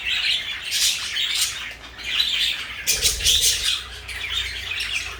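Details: Indoor pet parakeets, one blue and one pale yellow, trade quick raspy chirps in clusters about a second apart, with a soft knock or wing sound near the middle.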